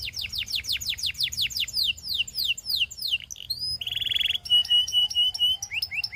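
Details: Belgian canary in song to draw other canaries: quick runs of descending whistled slides, a short buzzy rattle, then steady repeated clipped notes and renewed falling sweeps.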